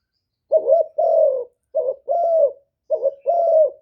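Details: Decoy spotted dove cooing to lure wild doves: three phrases, each a short clipped coo followed by a longer, even, hollow coo, spaced about a second apart in quiet surroundings.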